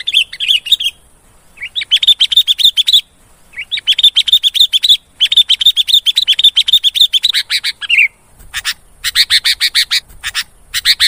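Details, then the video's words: Sooty-headed bulbul song for luring birds, delivered as long rapid trains of sharp, evenly repeated chirps lasting a few seconds each, separated by short gaps, ending in harsher choppy bursts. "SUARA BURUNG KUTILANG GACOR AMPUH UNTUK PEMIKAT"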